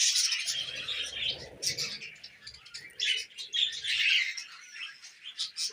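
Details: Several tame pet budgerigars feeding on millet chatter in a steady, busy stream of high, scratchy warbles and clicks, with louder bursts every second or so and faint low rustling beneath.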